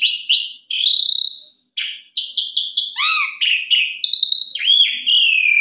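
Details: Singing Asian pied starling giving a varied medley of rising whistles, clipped buzzy notes and down-curved slurs, ending in a long, clear whistle that falls gently in pitch.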